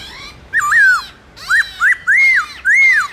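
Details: Black-throated laughingthrush, morning competition song in forest voice: five loud, rich whistled phrases, each swooping up and curving down, spaced about half a second apart.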